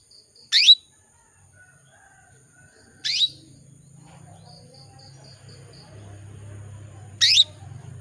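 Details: Female canary calling to males: three crisp descending chirps at uneven gaps of two to four seconds, with soft high buzzing dots between and a low murmur building later.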